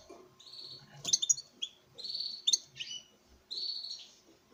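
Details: Male European goldfinch, bred in captivity, singing in front of a female: buzzy slurred trills alternating with sharp metallic chips, about one phrase every second.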